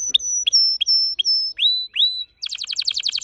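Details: Red factor canary song: repeated level high whistles with low clicks, two rising slurred notes, then a rapid pulsing trill.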